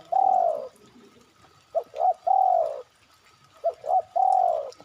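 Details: Spotted dove call played as a lure to draw other birds into answering: two short clipped coos then a long, drawn-out falling coo, the three-note phrase given twice with short pauses between.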